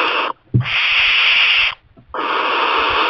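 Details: A young barn owl that has settled in a kestrel nest box, fed mice by its parents, gives two harsh, breathy hisses, the first over a second long, with a soft thump in the short gap.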